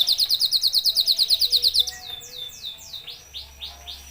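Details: Singing F1YS-type canary, called a tireless 'gacor' songster: a rapid, bright trill of clipped high notes gives way to slower, downward-sweeping whistles, then a series of arched, bubbling rising-falling notes.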